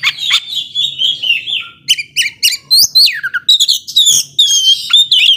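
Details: An Oriental magpie-robin gives 'gacor ngobra' song meant to incite sluggish rival birds: descending whistled phrases, sharp repeated chips, then swooping and rising whistles rich in overtones.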